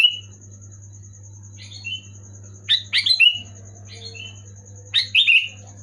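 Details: Sooty-headed bulbul (kutilang) singing loud, clear gacor song to stir silent birds: short bubbly whistled phrases, twice a rolling burst of three or four notes, with a steady high whine and low hum throughout.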